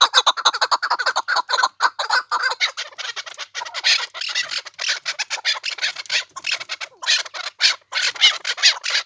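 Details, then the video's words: Chukars of the Pamir in a loud, raspy chorus: dense, overlapping cackling notes that come in fast bursts, with short pauses between the runs. "Кабки Помир"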